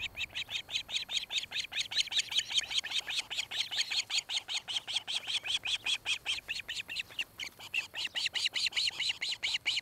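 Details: Osprey at a nest near Charlo, Montana, recorded by nest camera on 26 July 2018 between 17:01 and 18:01; a long run of sharp whistled chirps, about two and a half per second, steady and unbroken throughout.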